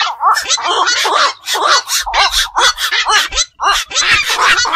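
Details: Black-crowned night heron (bakchu), found around fish enclosures, ponds and wetlands: raspy, broadband squawks and nasal croaks tumbling over one another, with short gaps between bursts.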